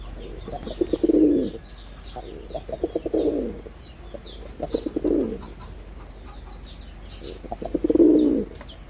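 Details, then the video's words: Performing male pigeon of the red-bordered wild type cooing four times across the stretch: each phrase opens with staccato low beats and ends in a deep throbbing coo, backed by busy high-pitched chirping of small birds. "লাল বডার বুনো কবুতরের অসাধারণ ডাক || Pigeon Sound Effect || Male Pigeon Super Performance"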